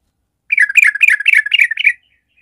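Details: Sooty-headed bulbul fighter song for stirring a stalled bird to fight: a single burst of about six rapid, buzzy, down-slurred notes running for one and a half seconds, then silence.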